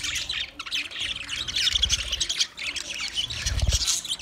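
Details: Flock of twenty budgerigar pairs in continuous high chattering and warbling, quick overlapping chirps, with occasional low thuds underneath.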